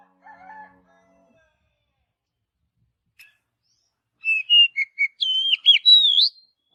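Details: Oriental magpie-robin in forest: after a faint low note and near silence, a quick string of varied whistles and looping slurred notes.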